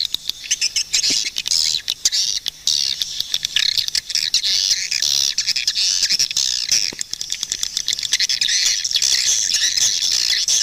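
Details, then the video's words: A long stretch of swiftlet chatter, with a dense, unbroken high twittering and scattered sharp clicks throughout. "Swiftlet bird sound"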